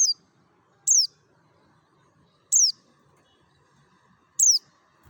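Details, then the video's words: Mountain white-eye from Merapi singing in the wild 'ngalas' style, a lure recording meant to make other white-eyes sing. Four sharp, very high notes slur downward. They come about once a second over a faint low hum. "SUARA NGALAS SAMPAI PARUHNYA SOBEK❗PANCINGAN PLECI DAKUN MERAPI"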